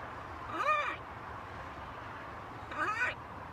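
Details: A pet macaw on a balcony gives two moderate, drawn-out, arching harmonic utterances about two seconds apart, with quiet background hum between them.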